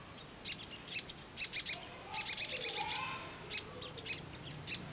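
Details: Sogon singing in the ngleper style: sharp high chirps, first spaced, then a quick run of about eight notes, then single chirps again near the end, against a quiet background.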